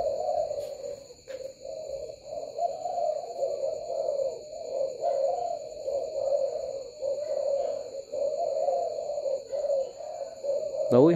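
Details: Many spotted doves at a bird farm in Bình Dương, Vietnam, cooing late at night with the lights switched on, busy as a beehive: a dense, unbroken wash of low overlapping coos, with steady faint high electronic tones and a click near the end.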